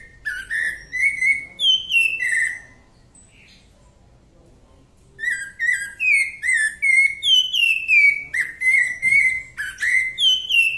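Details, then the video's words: Rufous-bellied thrush singing its 'Santa Fé' song: clear, fluty whistled phrases of slurred notes rising and falling in quick succession, with a brief silent pause midway. "CANTO SANTA FÉ DA SABIÁ DA MATA"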